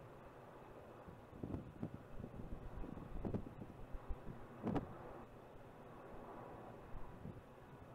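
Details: Outdoor wind buffeting and a distant low engine hum with a few soft thumps, but no animal calls.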